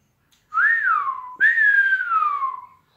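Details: Common hill myna, a talking pet kept outside the house, gives two long clear whistles in quick succession. The first rises then falls; the second starts high and slides slowly downward.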